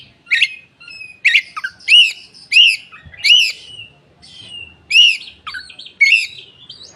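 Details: Koci song used to lure or train other birds: a run of bright, arched chirps repeated roughly every half second to second, loud and clean against a quiet background.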